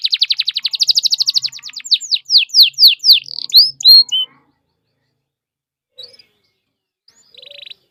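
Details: Canary singing a lure song meant to set other canaries singing: a rapid buzzy trill, then slower loud downslurred whistles. The song stops halfway, leaving near silence with a few faint chirps and a short buzzy burst at the end.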